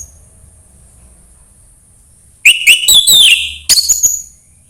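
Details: Orange-headed thrush song, played to coax a reluctant bird into singing: after two and a half seconds of near silence, a burst of clear high whistles and quick slurred notes, then a brief pause and a second whistled phrase.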